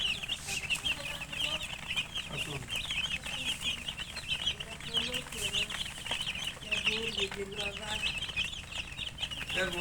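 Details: A crowd of young chickens chirps steadily: dense, shrill, overlapping cheeping that never stops, with occasional lower soft clucking sounds in the background.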